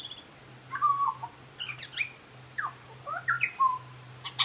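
A butcherbird sings a run of clear, fluting whistles, some rising and some slurring down, in short phrases over a steady low hum.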